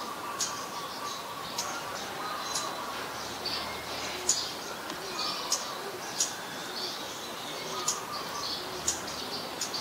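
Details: A very common resident Scarlet-backed flowerpecker in Ubon Ratchathani, Thailand, in March 2021: a steady series of short, piercing ticks, roughly one per second, amid faint chirps of other birds and steady background hiss.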